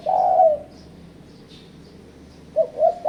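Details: Spotted dove calling to challenge rivals, played as a trapping lure: a long mellow croo at the start, a quiet gap, then two short rising coos opening another phrase, with a faint low background hum.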